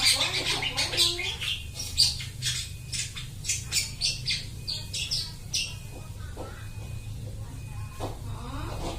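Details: Long-tailed shrike copying other birds' sounds, used to lure birds; rapid series of sharp, scratchy chirps and squeaks, dense early, then sparser clicks and a wavering note near the end, over low hum.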